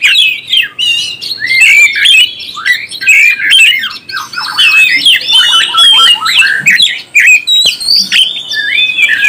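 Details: Oriental magpie-robin song for stirring up other birds: harsh squawking and rasping calls interwoven with slurred whistles, a rapid, agitated-sounding torrent of notes.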